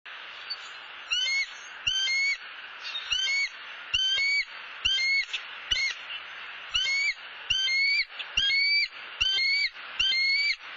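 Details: Wild bald eagles at their nest in Southwest Florida, where the male brought a soft-shelled turtle to the female. High, thin, whistled notes with a slight upward bend, in short bursts about once a second over steady background hiss.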